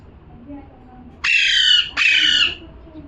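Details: A parrot gives two loud, raspy squawks back to back, each roughly half a second, sitting over a quiet background.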